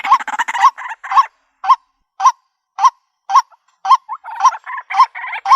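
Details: White-breasted waterhen call used as a lure for trapping birds in the country: a quick burst of harsh croaks, then single nasal, upward-kinked notes repeated roughly every half second with short silences between.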